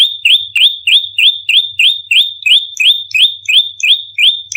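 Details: Bar-winged prinia fighting call used as lure audio for training birds: a rapid, even run of about fourteen high, sharp notes, each rising into a short level whistle, about three per second, with no other sounds.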